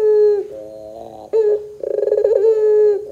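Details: Ringneck dove in pelung style, a lure recording meant to prompt young doves to answer: a short low coo, then a rolling, trilled opening breaking into a long, steady, hollow note.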